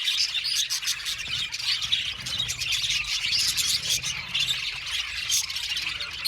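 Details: Crowded budgerigar aviary: a thick, continuous chatter of high squeaky chirps and warbles from many birds at once.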